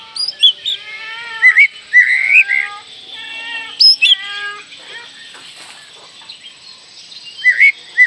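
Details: Oriental magpie-robin song used as a lure to get young birds singing: varied, rising whistled notes and slurred phrases with harmonics, over a steady high hiss and a thin constant tone.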